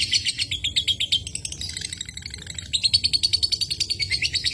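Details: High chattering ngekek of a lovebird, meant to set other lovebirds singing: quick shrill pulses, a short lull midway, then a louder, steady rapid run.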